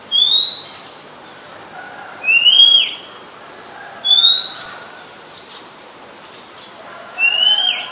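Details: Oriental magpie-robin, a very common resident, singing in Ubon Ratchathani, Thailand, 17 July 2021: four bright rising whistles, each sweeping upward and ending in a short flourish, spaced roughly every two seconds against a quiet background.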